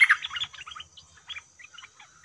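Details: Bulbul at a trapping cage producing a loud opening chirp followed by a run of softer, scattered warbled notes over about two seconds, with a faint low hum underneath.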